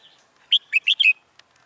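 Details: Red-whiskered bulbul kept as a decoy bird in a trap, singing to lure wild birds, recorded 10 November 2017; a quick burst of four loud, clear chirping notes within half a second, then near silence with one faint tick.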